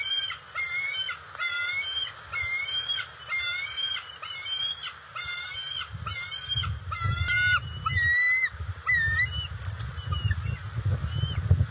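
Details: Bald eagles calling at their nest as the female brings fish to the eaglets in June 2021; a steady run of high, chattering, whistled notes about twice a second, later slower squeals, over rising low rumbling.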